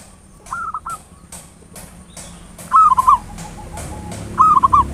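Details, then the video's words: Local zebra dove cooing in the ngayer nulop style, used as a lure to provoke other doves: short rolling coo phrases near one pitch, three bursts a couple of seconds apart, with sharp clicks between. "Perkutut lokal PANCINGAN SUARA NGAYER NULOP ampuh merangsang cepat EMOSI BUNYI GACOR"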